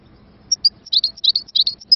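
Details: Sparse, high, thin chirps from a European goldfinch, a few short tinkling notes spaced over two seconds.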